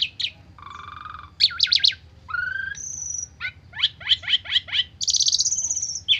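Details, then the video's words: Asian pied starling giving a stressed lure song rich in fill notes: a held nasal buzz, quick stuttered chips, a rising whistle, a high thin tone and a series of six rapid chirps, low hum behind. "Pancingan Jalak Suren Stres Full isian 100% Nyaut"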